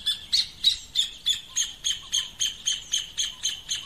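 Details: A Rufous hornero at its nest building site gives a loud, steady series of harsh, shrill notes, about three each second, with no other sounds standing out.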